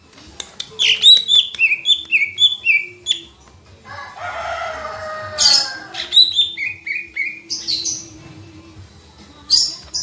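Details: Lesser green leafbird singing a rapid run of short, falling whistled notes, then a buzzy, grating phrase and more quick chattering whistles with scratchy bursts.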